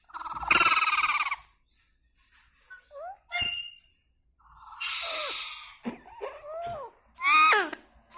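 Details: Talking Indian ringneck parrot producing harsh, buzzy speech-like phrases mixed with quick squeaky, curving syllables and a sharp click, in a quiet room with brief gaps.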